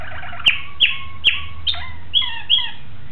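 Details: Malinois Waterslager canary recorded on 26 October 2012, singing crisp descending whistled notes at a quick, slightly uneven pace, with the later notes splitting into layered falling tones.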